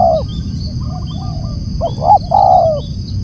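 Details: Spotted dove calling loudly, one drawn-out falling coo, then two short hollow notes and another long croon, over background rumble.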